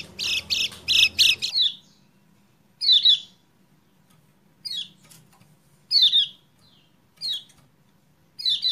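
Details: Kecial kuning (lemon-bellied white-eye) song used to coax a silent bird into singing, dated 28/11/20: an opening rapid triple burst of high chattering notes, then short, sharp, downslurred high chirps spaced roughly every second or so.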